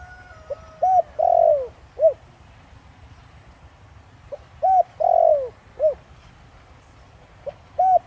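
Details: 'Thổ Đồng' style song of a spotted dove for luring wild birds; two full phrases about four seconds apart, each short coo, long descending coo, short coo, with the next phrase just starting.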